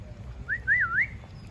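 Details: Talking parrot kept as a pet, uttering one drawn-out wavy whistle that rises, dips and climbs again over about half a second, above a low steady hum.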